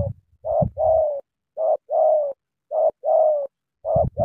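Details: Eager sắm thổ cooing from a Cà Mau spotted dove: a short coo followed by a longer, drawn-out, slightly falling coo, the pair repeated regularly, clear over a quiet background.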